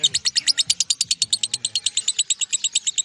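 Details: Long-running ngekek chatter from a lovebird: evenly spaced, piercing high chirps repeated rapidly at roughly three per second, loud and steady throughout, with faint low tones at the start.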